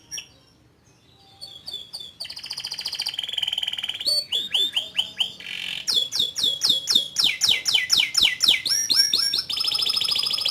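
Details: Canary building into long song: soft start, then buzzy trills, falling chirps and an extended run of rapid, evenly repeated sweeping notes.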